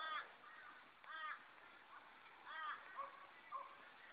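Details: Juvenile Australian magpies hoping to get food from a person, recorded 20 June 2012: harsh, nasal begging calls with stacked harmonics, repeated roughly every 1.3 seconds, some shorter fainter notes between, light background hiss.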